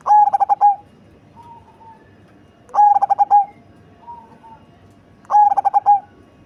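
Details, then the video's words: Three loud cooing phrases, each a rapid string of short, deep notes closing on a longer one, from a big-bodied cemani zebra dove with a large, bassy voice. Quiet coos are heard in the gaps. "Perkutut Cemani Body Besar Suara Besar dan Ngebas"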